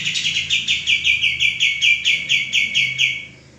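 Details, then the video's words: Male common iora, singing to train cage birds, gives a clear chain of about four high chirps per second, each note slightly downslurred, the sequence fading at the end. "suara burung kapas tembak jantan gacor"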